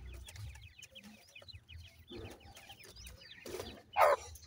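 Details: Several irani teetar francolin chicks give quick, high, slurred cheeps in a busy overlapping chorus, ending with a louder, harsher burst near the close over steady low hum.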